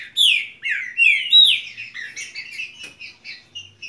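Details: Saffron finch song opens with loud, sweeping whistles that drop in pitch, then runs into a faster, softer chatter of twittering notes that fade out.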